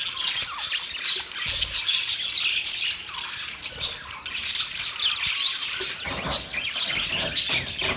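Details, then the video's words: Steady budgerigar chirping: continuous busy warbling of high squeaks, clicks and short whistled notes, without pause, plus occasional soft low knocks. "Budgies Parrot Talking sound Bird Chirping sound"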